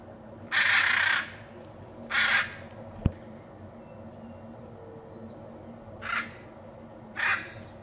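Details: Hyacinth macaw in the Pantanal, Brazil, giving four loud, harsh, grating squawks at irregular intervals, the first longest, with a single sharp click between them.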